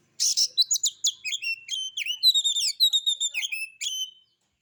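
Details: Kacer, the Oriental magpie-robin, heard in a relaxed lure recording of harsh-style song, singing by itself: a rasping burst, then rapid clear whistles and flicked chirps strung together for about four seconds.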